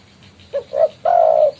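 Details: Spotted dove in full voice, calling to challenge a rival, a sound used for lure trapping: two brief low coos followed by one long, steady, drawn-out coo note, over a quiet humming background.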